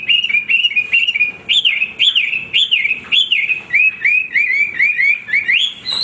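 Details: Hwamei singing without pause, a loud series of rich whistled phrases that rise and fall, each repeated in quick succession about every half second and ending in higher, sweeping notes.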